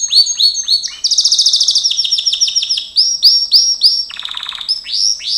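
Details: Gloster canary in training song, a fast run of high upswept chirps leading into dense rattling rolls, then bouncy repeated slurred notes and a brief lower, softer trill before more rising chirps.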